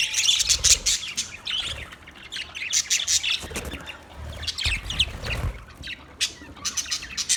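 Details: Budgerigars chirping in a dense, continuous chorus of overlapping high twitters, squeaks and warbled chatter, with no pauses and several birds calling at once.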